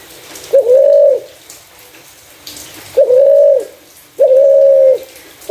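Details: Spotted dove with a clear voice, used as a lure for other doves, giving low, even coos held for about half a second each, three in a row roughly every one and a half seconds over a soft background hiss.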